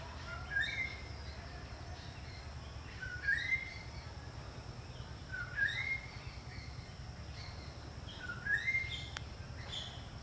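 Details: Greater racket-tailed drongo repeating a bright two-part whistle roughly every two and a half seconds, four times: a brief lower note rising sharply into a held higher tone, with constant low-pitched ambient noise underneath.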